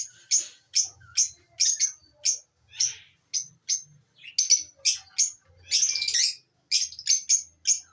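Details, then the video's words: Lovebirds giving shrill, harsh chirps in quick bursts of about two or three a second, with brief pauses between runs and no other sounds. "Amazing Birds chirping sound"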